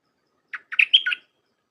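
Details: Phrase from a Thai 'dok taeng' red-whiskered bulbul, played to train hand-reared young: one lead note, then a quick cascade of bright, liquid, slurred whistles ending in a falling note. Quiet background.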